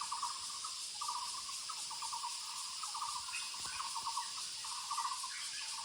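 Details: Muller's barbet calling in the woods: short pulsed, rapidly repeated low notes in bursts of about half a second, given roughly once a second, over a steady high-pitched insect drone.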